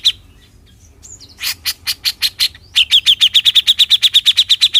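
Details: Bearded bulbul in besetan song, opening with a faint high whistle, then harsh raspy notes that build into a fast, regular rattle of sharp chattering notes near three per second.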